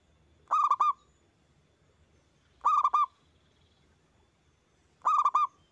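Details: Local zebra dove singing loudly, used as a lure to get other doves to answer and sing: three bright cooing phrases of four quick notes, spaced about two seconds apart, over quiet background.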